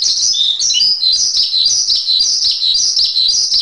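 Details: Tutor song of a Javan pied starling: rapid, squeaky, whistled warbling in a continuous flow, with quick notes repeated nearly twice each second and brief slurred dips between phrases.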